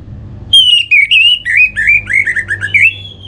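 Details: Orange-headed thrush bait song for getting birds to sing: a continuous three-second run of rich, slurred whistles that rise and fall, then ends on a higher sustained note.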